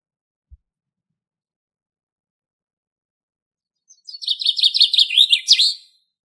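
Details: Wild common chaffinch singing in Greek nature, a single song phrase after silence: a run of quick repeated notes speeding up into a rattling series and ending in a brief flourish, in a quiet setting.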